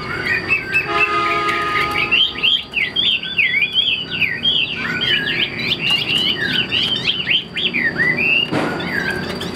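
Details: Caged Chinese hwamei delivering a rich, fast song of looping whistled slurs and warbles, notes swooping up and down in quick succession, preceded by a steady low humming tone in the background.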